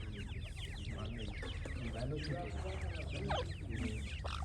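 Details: A crowd of francolin chicks cheeping rapidly, high slurred notes overlapping, with soft lower clucks running beneath.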